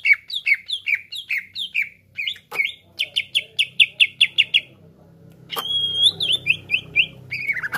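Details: Greater green leafbird belting varied song to stir other birds to sing; quick downslurred notes, a steady string of sharp chips, then long pure whistles and slurred phrases over a faint low hum.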